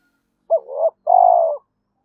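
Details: A single spotted dove phrase used as a lure for other doves: a short hooked coo swelling into a rising note, then a long, steady, rough coo. Otherwise quiet.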